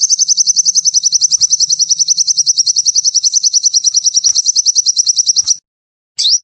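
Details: Sunbird in energetic song: a long, very high, fast and steady trill of repeated notes lasting over five seconds, then one sharp upslurred chip.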